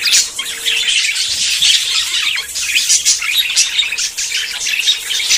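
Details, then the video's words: Budgerigars courting and about to breed, a group giving dense, continuous high warbling chatter of chirps, squeaks and buzzy notes without a break. "CON ESTE AUDIO TUS PERIQUITOS SE APAREARÁN"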